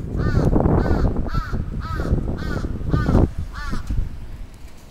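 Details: Crow attacking in Atsubetsu Ward, Sapporo, Japan, on 27 June 2017: six harsh, arched caws in quick succession, roughly every half second, over heavy low rumbling background noise.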